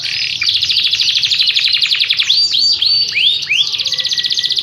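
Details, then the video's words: Yorkshire canary delivering a long rolling song: fast, steady high trills pulsing several times a second, broken midway by a run of bright downward-swept notes, then back into a rapid trill. "Kenari yrokshire ngerol nggulung panjaaaaang banget"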